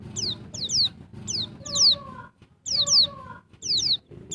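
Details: Female white-eye of the Bali type, in breeding condition, calling to stimulate males: thin, high, sharply falling notes in quick pairs and triplets, repeated in bursts, with a lower whistled tone and a background rumble.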